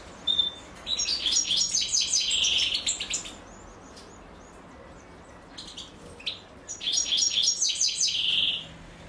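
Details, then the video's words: European goldfinch chicks begging from the feeding female; two loud bursts of rapid high chirps, each ending in a buzzy trill, separated by a quiet gap. "أنثى الحسون وهي تطعم فراخها"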